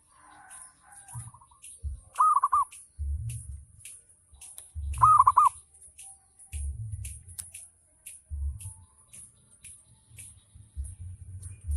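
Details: Local zebra dove ngayer song used to lure other doves into singing: two brief clusters of quick coos stand out among repeated low thumping knocks and scattered clicks.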